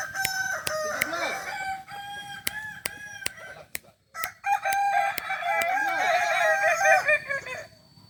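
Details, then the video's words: Kukuak balenggek roosters crow during a contest final in Ampang Kualo, Kota Solok, 8 September 2024. Warbling, stepped crows overlap throughout, with repeated sharp clicks and a brief silence near the middle. "Final latberan ayam kukuak balenggek di ampang kualo kota solok"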